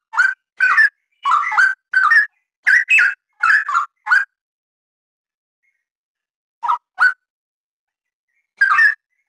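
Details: Straw-headed bulbul (cucak rawa) singing: short bursts of rich, liquid, gurgling whistled phrases, several in quick succession during the first four seconds, then a pause before two brief phrases and one more; clean, quiet background.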